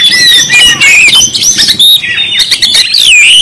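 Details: Oriental magpie-robin from Kalimantan pouring out a continuous stream of high, sweeping whistles and rapid chattering notes, with barely any pause, over a low background rumble.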